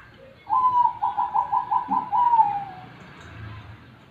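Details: Zebra dove (perkutut) singing: a soft low note, then a quick string of about seven rolling cooing notes, ending in a longer drawn-out coo that slides gently downward; faint low background rumble.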